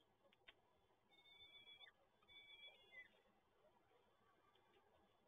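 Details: Peregrine falcon chicks at a nest in Toruń during feeding on 30 April 2022. Two wheezy, harmonic begging calls follow each other over a steady background hiss.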